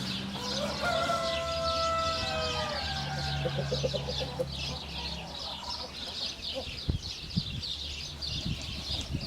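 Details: Rooster crowing: one drawn-out harmonic crow of about two seconds that slides slightly downward near the start. A dense shimmering chorus of birds or insects and a low steady hum run underneath throughout.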